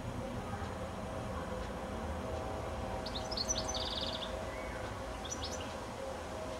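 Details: Evening goldfinch perched high on a telephone wire shortly before sunset, giving a burst of sharp twitters that runs into a fast trilled buzz, then a second short twittering phrase, against constant low ambient noise.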